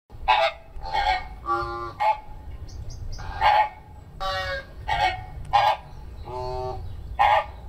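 A penguin gives about a dozen short, harsh, honking calls in quick succession, some higher and nasal, others lower and buzzier, over a low rumbling background.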